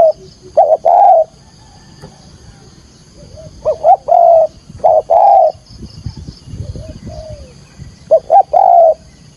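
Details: Spotted dove call used to lure birds for trapping, Vietnam: three loud phrases, each two short hoots then a long held coo, spaced a few seconds apart, with soft low cooing in between and a constant faint high hum.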